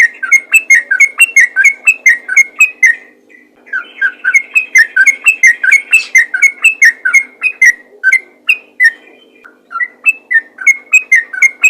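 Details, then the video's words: Sooty-headed bulbul calling to provoke replies from other bulbuls: fast chattering whistled notes repeated about twice a second, a brief pause near the start, then more bubbly phrases over a quiet low hum. "PANGGILAN BURUNG TRUCUKAN ROPEL GACOR FIGHTER||TRUCUKAN LAIN PASTI LANGSUNG IKUT BUNYI"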